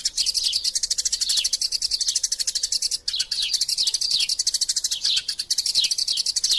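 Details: Eurasian tree sparrows fighting, used as a master sound for magpie robins; a steady, dense barrage of shrill chirps with repeated downward-sliding notes and one brief break.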